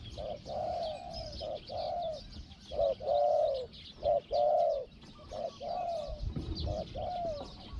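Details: Spotted dove used as a decoy to lure a wild dove, singing in a small-voiced 'hong-hong' manner. Soft, hollow cooing phrases pair short and long notes in a steady series, with faint outdoor hiss and a thump near the end.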